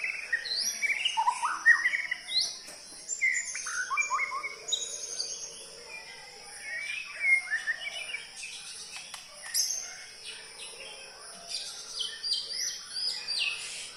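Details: Long rich song of a white-rumped shama (murai): varied whistles, sweeping slurs, and clipped chattering phrases, with brief pauses between bursts and a steady high-pitched ringing in the background.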